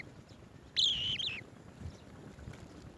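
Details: Swallow-tailed bee-eater carrying bees to its young, one clear rolling trill lasting about half a second against quiet background hiss.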